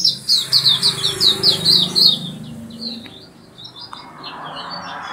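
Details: Lively oriental white-eye song, a fast run of sharp, high twittering notes that grows softer and more scattered, over steady low background noise.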